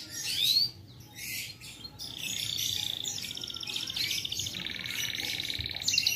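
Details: Kept canary from a bird collection singing a high chirp, then sustained rolling buzzy trills on steady pitch, several trill sections in a row, with faint background hum.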